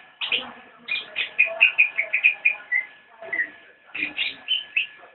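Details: Javan white-eye nyinden song: rapid runs of high chirps and short whistled slurs, delivered in two dense phrases with a short gap between, over a steady low hum.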